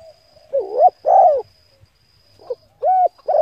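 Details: Spotted dove cooing to lure and stimulate decoy birds. Loud, low, hollow coos come in a short broken phrase: two long notes, a pause, then quicker notes. A steady thin high whine runs throughout.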